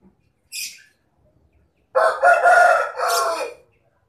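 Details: Bledek chicken rooster gives a brief faint high note, then a loud, raspy crow of about one and a half seconds in several pulsing segments before fading.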